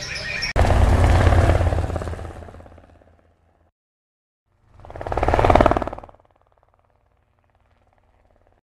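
Two loud swelling bursts of rumbling engine or vehicle noise separated by silence, with no animal sounds.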